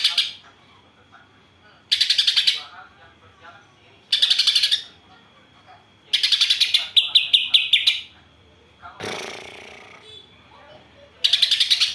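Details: Greater green leafbird singing its borrowed house sparrow and kapas tembak material: short buzzy trilled bursts every two seconds, a longer stuttering run of chips near the middle, and a broad rushing noise partway through.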